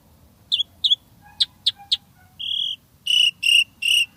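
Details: An actively singing Asian pied starling gives paired clear whistles, sharp descending ticks, then a steady buzzy note and three loud harmonic squawks at regular intervals.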